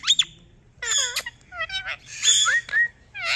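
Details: Kiwi blue Indian ringneck parrot talking: a string of loud, voice-like syllables with wavering tones, mixed with shrill squeaks and short rising whistles.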